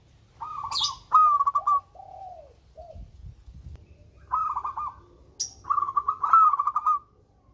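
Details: Local zebra dove, called melodious and used as a lure to coax reluctant birds into singing. Stuttering, rapidly trilled coos are followed by a few lower, drawn-out falling notes. The phrase repeats twice, with brief flutter-like noise bursts between.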